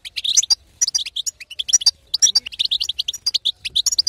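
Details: European goldfinch female, 'betbeta' calling used to stimulate quiet males to sing. Dense, bright twittering notes come in quick clusters, liquid and chattering, with brief gaps between bursts.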